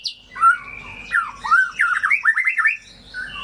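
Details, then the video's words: White-rumped shama singing, a lure for shamas that have gone quiet or dropped form: a rising whistle, then varied slurred phrases ending in a quick wavering series of looping notes. "Pancingan Murai Macet Bunyi, Bisu, Kurang Gacor atau Ngedrop"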